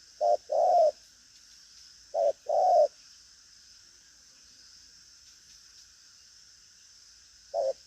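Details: Caged spotted dove cooing in the 'thúc gù' style. Two low short-long coo pairs about two seconds apart are followed by a long quiet gap and one last short note, over a faint constant hiss.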